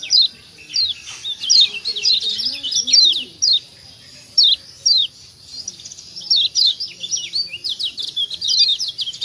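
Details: Lombok yellow white-eye, locally called kecial kuning, a recording used to stimulate other birds to call: rapid high thin chirps and short downslurred notes in quick bursts, with a faint low murmur beneath.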